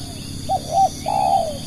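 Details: Decoy spotted dove, kept to attract other doves, gives a compact coo phrase: a short note, a second short note, then an extended slightly quavering croo tailing downward, over faint continuous high background tones.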